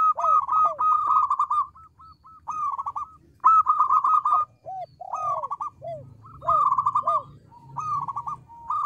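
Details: Local zebra dove in loud song: repeated soft, bubbling cooing phrases, each a trilled run of notes with short downward-curving notes between them, phrases coming every second or two.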